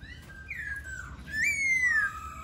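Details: Laughingthrush delivering a soft descending whistle, then a louder, pure note that leaps up and slides steadily downward, closing on a low steady tone.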